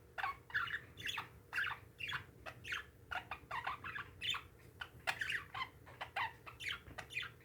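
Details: Pet parakeets keep up a dense, nonstop chatter of raspy squawks and chirps, many overlapping, with a constant low hum behind.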